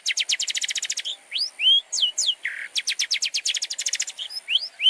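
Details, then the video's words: Long-tailed shrike training song: long fast rattling trills of clipped notes broken by swooping downslurred and upslurred whistles and a brief buzzy note. "PANCINGAN MASTERAN BURUNG CENDET | FULL ISIAN MEWAH"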